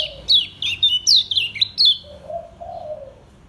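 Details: Caged lemon-bellied white-eye from Lombok in slow ngejos singing: a quick burst of sharp, high, downslurred chirps for about two seconds, then a low, drawn-out dove-like cooing behind.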